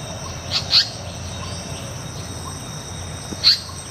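Two brief, sharp high-pitched notes from an Asian paradise flycatcher, about three seconds apart, over a steady high insect drone and low rumble.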